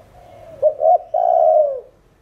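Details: Spotted dove coo, 'thổ đồng' style: a brief broken pair of notes leading into a long, steady, gently falling coo lasting over half a second.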